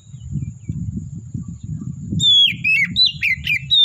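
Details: Oriental magpie-robin in forest giving clear whistled phrases that rise and fall, starting after two seconds over a steady low rumbling background.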